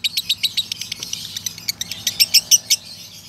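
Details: Male lovebird giving a long ngekek trill in a tired tone: a rapid run of sharp, high chirpy pulses, about seven per second, growing louder and brighter toward the end, with no other sounds.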